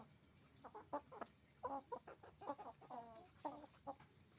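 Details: Chicken farm with roosters and hens calling: a run of clear clucks and short nasal squawks, some drawn out and wavering, packed closely together over low farm hum.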